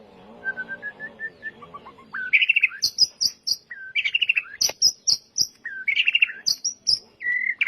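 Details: White-rumped shama singing on a lure track meant to set birds off: it opens with soft, evenly spaced whistled notes over a low hum, then bursts into loud clipped phrases of high whistles and sharp ticks.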